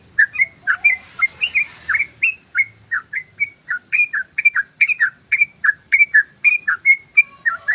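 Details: Yellow-vented bulbul delivering a long 'ropel' run as a lure for wild birds, with steady, evenly spaced slurred whistles, about three per second, in clear quiet surroundings.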